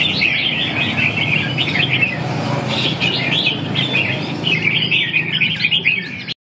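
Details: Red-whiskered bulbul delivering bursts of lively chirped and warbled phrases, separated by brief lulls, against a steady low background hum.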